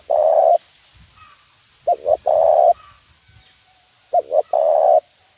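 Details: Spotted dove giving a 'nguku' lure call used to train birds: low, mellow coos in three phrases about two seconds apart, each two quick short notes then a longer steady coo, the first phrase cut to its long note.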